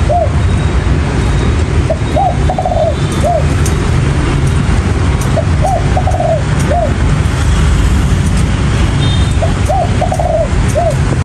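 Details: Wild-caught spotted dove gives three evenly spaced coo phrases roughly every four seconds, each a short note, a slurred coo, a drawn-out rolled note and a closing coo, over persistent low background rumble.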